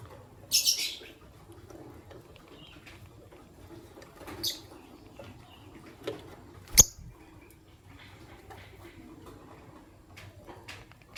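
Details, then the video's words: Morning chirping from white albino and pastel green Fischer's lovebirds: a sharp, shrill burst near the start, then a softer high chirp and a sudden click, separated by quiet stretches. "Lovebird Chirping Sounds - White Albino with Pastel Green Fischer's"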